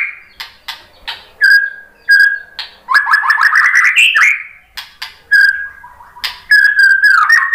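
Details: Lured white-rumped shama sings in reply with a mix of sharp chips, steady clear whistles and a fluttering rising trill, the phrases separated by brief pauses.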